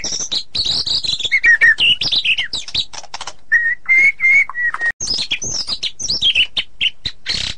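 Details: White-rumped shama in full song with tight rolling delivery, mixing high descending whistles, harsh rattles and several steady clear notes, then a cascade of high slurred whistles and clicks.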